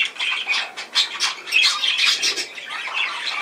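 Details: Budgerigars chattering in quick, scratchy squawks and short chirps, rising and falling in rapid pulses, busiest around the middle.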